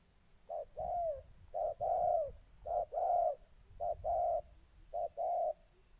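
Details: Caged spotted dove used as a decoy while molting, challenging an aggressive wild dove, Gia Lai, Vietnam, 14 August 2020. Five low cooing phrases about a second apart, each a short hoot followed by a longer drawn-out coo.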